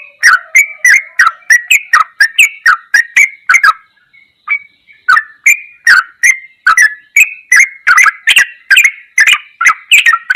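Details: Masteran song of a Sooty-headed bulbul, ropelan goklikan style: a fast series of clicky whistled notes, a silent gap near the middle, then a second energetic run.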